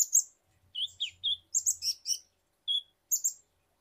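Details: Ninja hummingbird (kolibri ninja) song used in Indonesia as a lure to get birds singing: high, sharp chirps and short slurred notes in quick groups, separated by brief silences, with a faint low hum early on.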